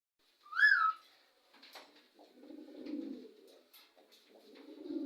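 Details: Parrots calling to each other indoors; one loud rising-and-falling whistled squawk opens, followed by softer low, muffled chattering calls and murmuring sounds in a small room.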